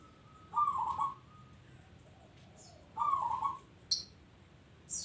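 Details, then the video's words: Local zebra dove cooing steadily: two rolling, vibrato-rich coo phrases spaced about two and a half seconds apart, with occasional sharp high chirps from another bird. "Bunyi Perkutut Lokal"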